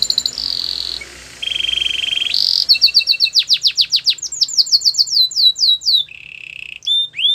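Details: Belgian canary song mixing steady trills at different pitches with bursts of rapid downward-sweeping whistles and a short low rolling trill.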